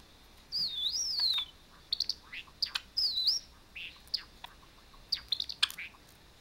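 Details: Caged pet Java sparrow responding to a Java sparrow's song played from an iPhone, giving sharp, bright chirps and quick clicks among two high, undulating whistled phrases and a short burry note.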